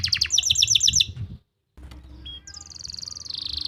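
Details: Canary song from Pati, Central Java, used to prompt non-singing canaries: a quick series of bright chirped notes, a brief pause, then scattered whistles and a rising fast trill.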